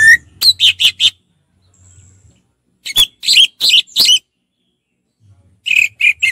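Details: Orange-headed thrush in relaxed ngeplong song, delivering quick groups of four or five loud, buzzy-edged chirping notes with short silent gaps between the groups.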